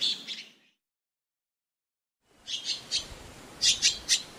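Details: Azure-winged magpie giving short, harsh, chattering notes. A brief burst is followed by a silent gap, then a quick run of separate scratchy chips, some in close pairs.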